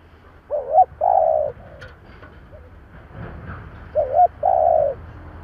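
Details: Decoy spotted dove calling in 'giọng thổ' style to draw in wild birds; a wobbling doubled note then a long level coo, given twice, with a faint click and low background hum.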